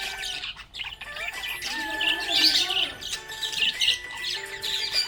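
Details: A happy budgerigar chirps in quick, high, squeaky bursts and warbles over a steady background of music.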